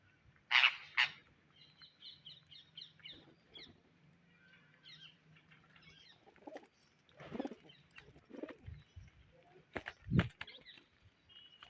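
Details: Indian ringneck parrot foraging for grain: two loud, harsh bursting screeches open, then a string of quick scratchy chirps, later mixed with dull thumps and knocks.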